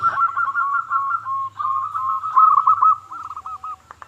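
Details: Local zebra dove in lively song, used to lure other zebra doves into singing: dense rolling cooing notes in a steady mid-pitched band, run together almost without pause, ending in a few separate burred coos.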